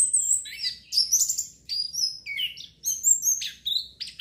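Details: Caged orange-headed thrush singing as therapy to stimulate breeding urge: rapid varied phrases of high whistles, slurred notes and buzzy trills in short bursts with brief pauses, clean recording.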